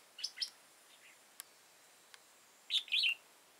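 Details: Wild red-whiskered bulbul, an old bird with a high crest and dark bib, caught with a decoy bird on 15/10/2018, delivering brisk chirpy warbled phrases, one near the start and a louder one near the end, with faint clicks between.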